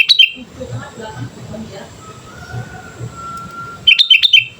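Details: Sooty-headed bulbul song used as a lure: a brief bubbly whistled phrase at the start, low murmuring in between, and a longer burst of quick, slurred whistles near the end.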